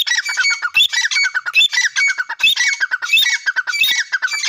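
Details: Grey francolin known locally as Dakhni teetar, calling loudly in repeated harsh, grating phrases, each a burst of scratchy notes running back to back with brief gaps between.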